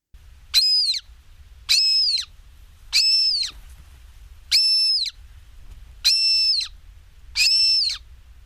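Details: A Montagu's Harrier gives a display call: six high, nasal, half-second calls about every 1.3 seconds, each held level then dropping at the end, with a faint low rumble behind.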